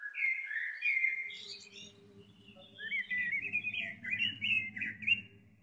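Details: Robin singing a tutoring song for cage birds: a long, continuous run of sliding whistled notes that rise and fall, over a steady low hum.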